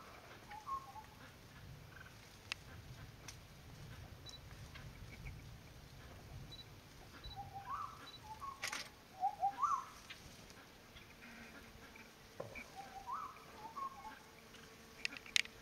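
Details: Racket-tailed treepie gives short, mid-pitched clucking notes in scattered bursts of two or three, with occasional sharp clicks and a faint steady hiss; Thailand, 31 May 2019.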